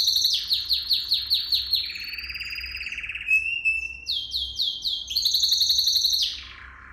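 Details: Canary training song with fast descending chirps, a lower rattling roll, a thin rising whistle, then groups of repeated high notes and a bright rapid trill that slides down at the close.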